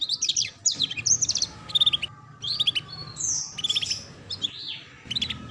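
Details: Canary singing ngeriwik-style tutor song for young canaries learning to sing. Busy, very high twittering with quick chirps, fast trills and sliding whistled notes that run almost without pause.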